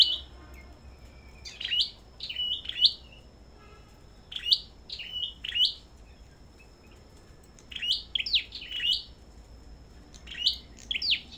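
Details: Kept Sâu đầu đỏ songbirds sing in a competition at a bird farm. Clipped, high chirping phrases of two or three quick notes repeat in short bursts, with brief silent pauses between groups.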